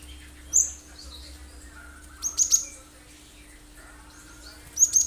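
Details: Cinereous tit (gelatik batu) giving brief, thin, high chirps used as a lure to set other birds singing; three short separate bursts spread through the clip over quiet background with faint lower twitters.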